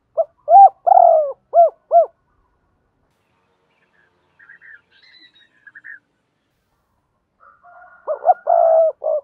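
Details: Decoy spotted dove in Đồng Nai cooing to provoke wild birds in the double-voice style. A rapid phrase of arched coos opens and another closes, with faint higher chirping from other birds in between.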